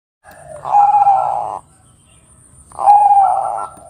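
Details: A Bangkok-type zebra dove (perkutut) gives two low, rolling, purring coos about a second long, roughly two seconds apart, with a faint steady hiss behind.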